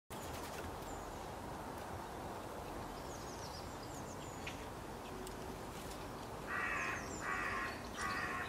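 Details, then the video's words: Birds in nature at dawn: faint high chirps over a steady background hiss, then three harsh, cawing calls near the end, each about half a second long. "pássaro cantando ao amanhecer"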